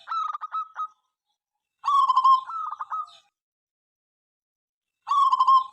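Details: Local zebra dove in full song, active morning, noon and night: a stuttering run of soft pulsed coos, then a longer falling coo followed by more quick pulses, and a final burst after a pause.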